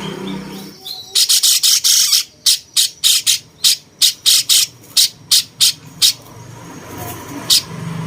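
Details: Used as a master voice for champion birds, a cucak cungkok bulbul whose voice is said to resemble a cucak jenggot pours out a long series of loud, grating squawks, first in a rapid cluster, then spaced regularly, ending with a lone note.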